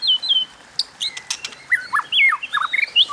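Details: White-rumped shama in fighting song, 'hót đấu', delivering rich whistled phrases: slurred falling notes, then quick rising and dipping whistles and short looping figures, with a few dry clicks in between.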